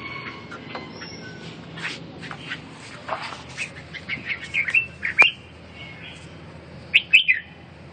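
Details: Red-whiskered bulbul said to be recovering from a cough and breathing weakness; after quiet scattered chirps, sharp bright whistled notes come in short bursts near the middle and again toward the end.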